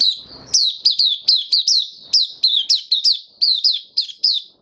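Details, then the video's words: Caged white-eye singing after finishing a regular deworming treatment, recorded 18 May 2022: a brisk run of sharp, high, downslurred chirps, about three per second, evenly spaced with short gaps, in a quiet indoor setting. "Mata Puteh Kitaro buka sing"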